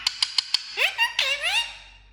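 A parrot gives four quick dry clicks, then a few rising and falling voice-like squawks that sound like mimicked speech, in a quiet room.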